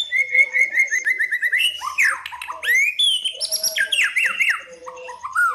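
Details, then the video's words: White-rumped shama in aggressive fighting song, used to provoke rivals: a run of evenly repeated short notes about ten per second, then varied high whistles, upslurs and descending zigzag phrases. "KRETEKAN & SIULAN PALING EDAN CEPAT MENDONGKRAK EMOSI LAWAN"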